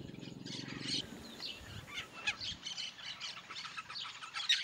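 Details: Yellow-chevroned parakeets in the Bahia sertão, Brazil, making a lot of noise: a continuous chorus of thin, shrill chattering squawks from many birds, with low rumbling handling noise early on.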